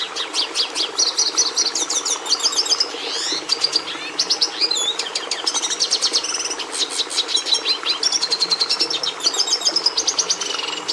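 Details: A red siskin (Carduelis cucullata) sings a continuous, rapid twittering song of high buzzy trills and chattering notes, with quick rising and falling sweeps throughout.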